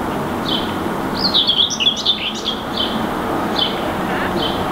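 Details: Common whitethroat (Curruca communis) perched in a treetop in Helsinki, Finland, May 2019, singing: a short, scratchy, jumbled warble of about a second, then a few brief high notes, over steady background hiss.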